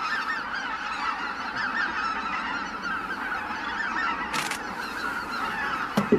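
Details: Greater white-fronted geese leaving the roost: a steady mass of overlapping honks, then a short rushing burst and a sharp knock near the end.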